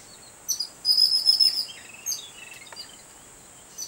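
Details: An excited babbler, seen reacting to a cat, gives a burst of high, squeaky chirps, one held trilled note and several falling squeals, with a steady high hiss behind.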